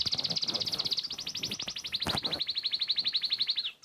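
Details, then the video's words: Sparrow song: a fast, high, even trill of sharp repeated notes that shifts pace in three runs, quickening after the first second and then settling into a steadier series before stopping abruptly, with a brief noisy burst near the middle. "صوت العصافير اجمل اصوات العصافير"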